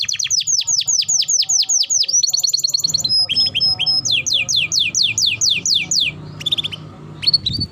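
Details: Canary training-song recording of an energetic singer: long runs of crisp downward-swept whistles, about two per second, broken by a short fast rattle and a high steady note, then more falling whistles and brief chirps.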